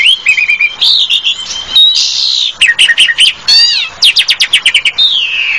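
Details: Asian pied starling (jalak suren) delivering a busy medley: short repeated whistles, a long buzzy slurred note, then rapid clicking chatter and a descending whistled ending.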